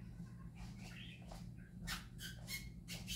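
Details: Happy parakeets singing: a mix of soft warbles and sharp clicking chirps, the chirps bunched toward the end, with a low hum in the background.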